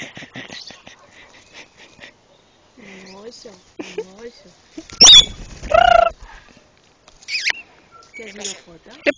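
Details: A cuddly, affectionate red lory at El Bosque zoo near Oviedo, Asturias, Spain, gives one loud, harsh screech with a shrill whistled edge, plus a few softer squeaks, while people talk throughout.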